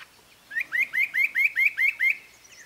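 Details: Spot-breasted parrotbill: a series of eight rising, slurred whistled notes, evenly spaced about every quarter second, each upswept note bright and clear against a quiet background.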